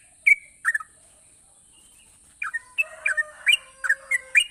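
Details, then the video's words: Yellow-vented bulbul with a few scattered bubbly notes, then a livelier run of slurred whistled chirps, accompanied by a lower steady tonal sound and a faint continuous high whine. "burung trucukan gacor memancing trucuk malas jadi rajin bunyi"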